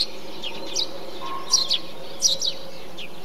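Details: Tree sparrow calling within a bee-eater colony: a few sharp, high chirps, some doubled, with a faint steady tone and low rumble beneath.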